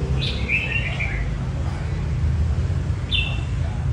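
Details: Red-whiskered bulbul voice training for competition: a rich slurred warble at the start, silence, then a short crisp whistle near the end, with a constant deep rumble behind.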